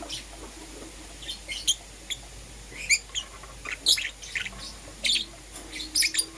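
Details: Lovebirds in the morning, green opaline and lutino Euwing varieties: bright, piercing chirps spaced irregularly, growing denser toward the end, with a steady low hum behind.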